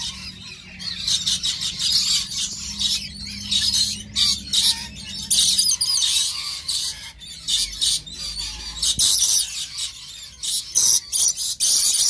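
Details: A lorikeet pair in love gives rapid, harsh, high-pitched screeches and squeals in repeated bursts, with a faint low hum underneath.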